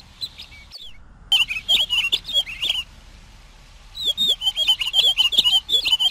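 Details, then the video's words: Pine Grosbeak song: quick warbled phrases of chirpy, slurred notes that rise and fall in short bursts, pausing between two clear runs, with faint clicking behind. "Canto del Camachuelo Picogrueso"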